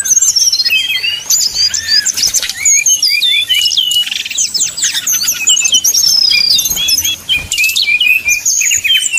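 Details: Sumatran red-crowned leafbirds fighting at the song contest, a training simulation: sustained torrent of high whistled slurs, rapid chips and rattling trills, with one long descending trill midway.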